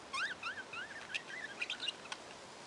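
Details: Budgerigars chattering in quick, bent chirps that swoop up and down, strung together in an uneven warbling run, broken by a few sharp clicks and short squeaks near the end.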